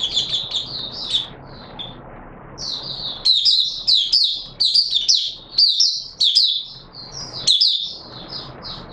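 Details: Oriental white-eye song recorded 24 March 2022: a hurried run of high twittered notes, a brief lull, then dense sharp chirping bursts over a hissy background.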